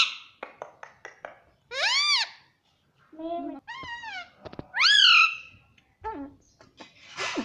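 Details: Speech-like phrases from a talking pet parrot said to call "mummy": a few clicks, then strong rising-falling harmonic syllables in two main bursts, indoors.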